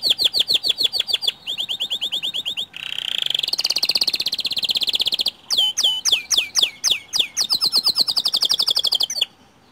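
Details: White canary song meant to prompt other caged canaries to sing. Crisp repeated chips run into a dense buzzy trill, then loud looping downslurred notes about four per second, ending in another rattling trill.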